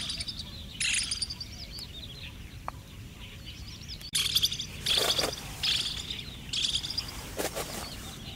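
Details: Pied kingfisher (Ceryle rudis), a resident on Kinmen, gives sharp, high chattering calls in short bursts, several in quick succession, over a low outdoor rumble. Such clear, thin 'ji-li' calls are given in flight or while foraging.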